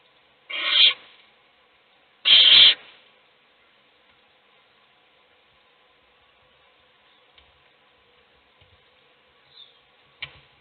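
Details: Adult owl feeding a chick as the other chicks sleep; two short, loud, rasping hiss-screeches close together near the start, then near silence with a few faint clicks and soft rasps.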